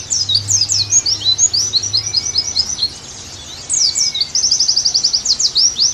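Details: An Oriental white-eye gives a very high, rapid twittering song of quick slurred chirps and buzzy trills, pausing briefly midway, with faint thin drawn-out whistles and a low hum underneath.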